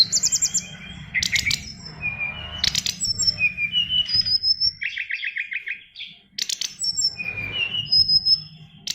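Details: A caged oriental magpie-robin with a song packed with learned phrases: harsh rattling bursts alternate with long clear whistles and a run of even chirps, with a brief pause midway and faint low noise.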